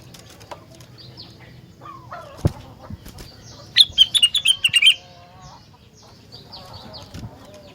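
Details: Rengganis in persistent song that makes other rengganis sing in response: a brief quick run of bright whistled notes over a murmuring background of faint chirps and a knock.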